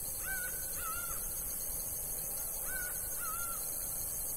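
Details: Two pairs of nasal, evenly pitched notes from a laughing falcon in the sertão of Bahia, the pairs spaced about two and a half seconds apart, with a steady hiss behind.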